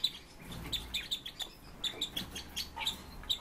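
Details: Red-billed leiothrix, known as Chinese nightingale, kept as pet birds: a run of short, high, sharp chirps repeated several times a second at nearly the same pitch, mixed with faint clicks and rustling in the cage.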